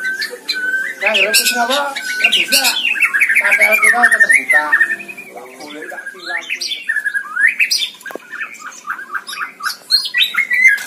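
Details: Caged white-rumped shama singing energetically (gacor) from a hanging cage, a recording meant for training other birds: a dense, varied run of loud whistles, chattering trills and sharp slurred notes rising and falling rapidly, with brief quieter gaps.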